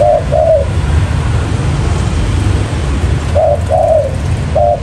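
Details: Spotted dove lure recording with a double coo, a long quiet gap of low rumble, then another short-long coo pair and the start of a third.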